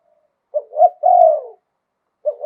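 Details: Spotted dove singing in the 'liu tan' style with the 'khan yon' wild-voiced delivery: two short low hoots, then a long drawn, slightly descending purring coo. A new phrase begins at the end. No other sounds.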